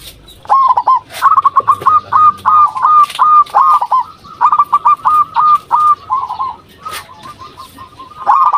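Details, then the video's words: Local zebra dove calling to lure other doves: an almost continuous run of crisp, stuttering trilled coos repeated rapidly, about three per second, for over eight seconds. "Perkutut Lokal Gacor RAJA PIKAT Ahlinya Bikin Semua Burung Perkutut Pada Nyaut"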